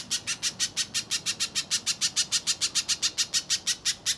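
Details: Little spiderhunter's lure song for contest birds: a brisk, regular string of shrill, high, clipped notes at about three per second, each note sharp and buzzy-edged, with no other voices audible.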